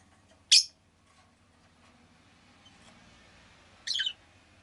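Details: A pet rosy-faced lovebird gives two separate sharp, rasping chirps about three seconds apart over a faint, steady low background hum.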